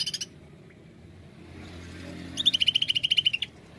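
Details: Greater green leafbird in 'nembak' song, played as a lure: a short buzzy burst, a pause, then a fast train of about fifteen bright high chips on a near-level pitch. A low hum runs underneath.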